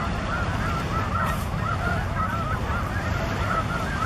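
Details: Snow geese massed at Broadkill Beach, Delaware, in December 2015, with Ross's geese and one cackling goose among them; a continuous chorus of yelping honks half buried under heavy low rumbling wind or surf noise.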